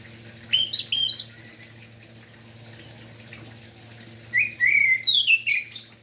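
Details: Morning song of an orange-headed thrush, played to push lazy or silent birds to sing: a brief burst of twisting whistles, a long quiet pause, then a second run of rich slurred whistles and high chips, with a low hum beneath.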